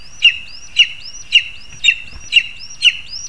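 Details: Lesser spotted eagle, 2 August 2020, as parents deliver food to their young: a high, thin, repeated call with a short rising whistle, about twice a second, over faint background noise.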